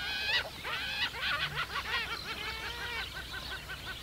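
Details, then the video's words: Several Caspian gulls (Larus cachinnans) give harsh, nasal, laughing calls in quick overlapping bursts. "Хохотунья, каткырыкчы күмүш чардак, голос"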